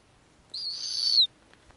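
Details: Snowy owl female on the nest, offering small pieces of food to newly hatched owlets in the Arctic. One strained, high, thin whistle holds steady for under a second, then dips and cuts off sharply. The background is quiet.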